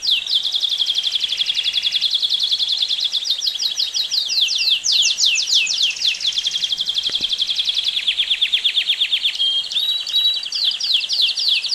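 A Belgian canary sings a long, continuous run of fast high trills and rolling tours, shifting pitch every second or two with a brief clear whistle near the end.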